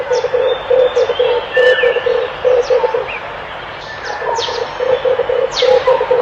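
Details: Red collared dove giving a steady run of low, throaty, pulsed cooing notes, each a short burst, over continuous higher chirps and thin whistles from other birds.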